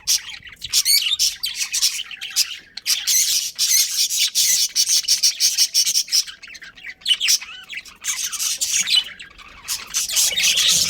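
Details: A colony of budgerigars including a breeding pair, chirping continuously: dense, harsh, high-pitched chatter with overlapping scratchy notes and few breaks.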